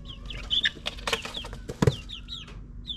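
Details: Nine-week-old backyard chickens in suburbia: short falling peeps scattered among clattering knocks and rustling, over a low steady hum.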